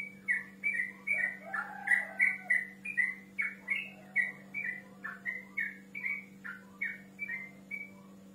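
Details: Male yellow-vented bulbul singing to call a rival: a lively string of short whistled notes, some slurred up or down, delivered about three per second with a steady low hum behind.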